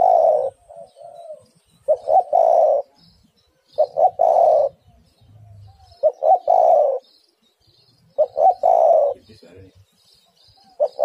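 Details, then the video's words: Female spotted dove (tekukur) calling the male. Four phrases about two seconds apart, each two or three short clipped coos leading into a long, mellow, low coo. Faint high bird chirps in the background. "Tekukur super gacor betina memanggil jantan pasti nyaut"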